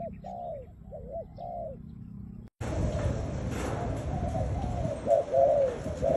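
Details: Kept spotted dove giving hoarse arched coos in quick succession, clear for the first half, then a sudden cut to loud broadband noise with fainter coos still showing through.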